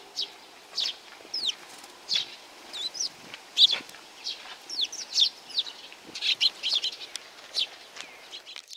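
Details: Flock of sparrows coming to be fed at Tenmangu shrine, Nakanoshima, on 7 June 2020; dense, overlapping high chirps and short twittering notes from many birds, tumbling irregularly over one another throughout.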